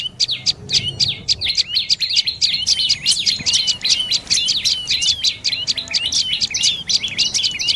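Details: Dark-necked tailorbird producing a fast, insistent run of high, thin chirps, notes tumbling together in dense clusters that grow busier midway, with soft low background noise.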